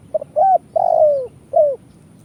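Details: Spotted dove lure call, kuk 1 style, from Indonesia and used in trapping. Two soft clipped notes open, then a brief rising note, a long drawn-out falling coo and a short closing coo, all low and mellow.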